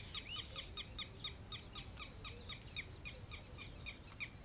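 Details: Female golden oriole in Maharashtra, India, gives a quick series of squeaky, nasal notes, about four per second, with a faint low rumble of background noise.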